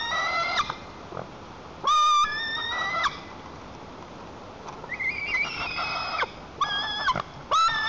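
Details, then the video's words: Young white-tailed eagle in the nest, Lower Kama National Park, Tatarstan, July 2023, protecting the nest from its mother with jumping and wing-flapping; scattered harsh harmonic screeches, some short, one rising note, separated by gaps. "~ Tantrum Temper ~ White-tailed eagles in Lower Kama National Park, Tatarstan ~ Jul 21, 2023"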